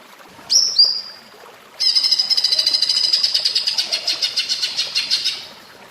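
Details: Cucak ijo, the greater green leafbird, in platuk bawang style song: two short sharp upslurred whistles, then a long, fast, ringing rattle that gradually slows and fades.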